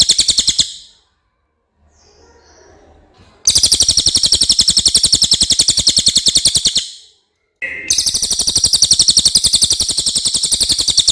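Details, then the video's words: Common iora singing clearly in long bursts of rapid, high, buzzy repeated notes, several seconds each, separated by short pauses, with a faint low rumble in one gap. "suara cililin jernih"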